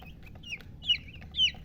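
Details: Baby chicks peeping: a few thin, high, downward-slurred cheeps, two of them louder, over a low rumbling background.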